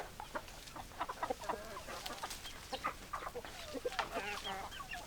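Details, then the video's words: Chickens clucking in a flock, quick irregular clucks and soft trilled notes overlapping, with steady background noise. "Chicken Sounds Noises Hens Clucking Roosters Crowing"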